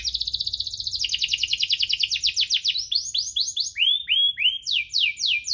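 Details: Canary singing 'cuit-cuit' and rolling, played to spur lazy canaries: a dense rapid trill that drops slightly in pitch, then a series of separate upswept chirps repeated about twice a second.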